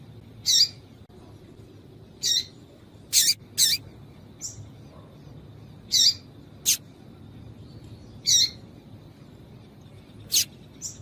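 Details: Female yellow-bellied seedeater call, used to excite males and set them singing: short sharp high chirps, single or paired, repeated at irregular intervals about every one to two seconds over a quiet background with faint low hum.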